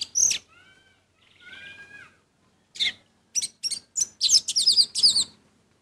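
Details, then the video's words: Energetic orange-headed thrush song: a sharp high chip, soft level whistles, then a quick sequence of bright, warbled and trilled notes rising in intensity. "Anis merah gacor Mendongkrak emosi"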